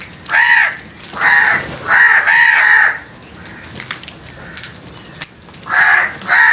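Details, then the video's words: Loud alarm cawing from frightened crows: four harsh hoarse caws about one second apart, a pause filled with faint rustling, then two more caws at the end. "The scared Crows loud noise | The Crows got frightened"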